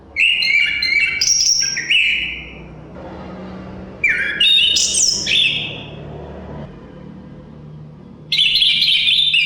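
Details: Chestnut-capped thrush (Zoothera interpres), forest songbird of Southeast Asia, singing loud whistled phrases of held notes jumping from mid to very high pitch, in three bursts with pauses, over steady low hum of wind.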